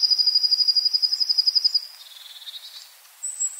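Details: Long-tailed tit in a garden in Joroinen, Finland, giving a fast, high, ticking series of thin notes, about a dozen a second, then softer lower notes and a brief very high whistle.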